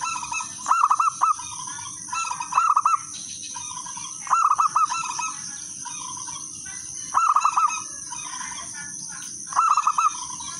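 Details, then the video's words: Local zebra dove calling to lure other doves to sing. Five quick, rippling coo phrases come roughly every two to three seconds, each of four or five rounded notes. Quieter answering doves and a constant shrill tone fill the background. "perkutut lokal alam gacor suara kristal irama merdu pancingan semua perkutut ikut manggung gacor"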